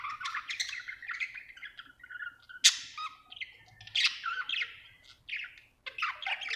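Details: Happy budgerigar chirping steadily: a run of bright warbling chirps and chatter with short scratchy squawks, one sharp loud note near the middle, pausing briefly before resuming.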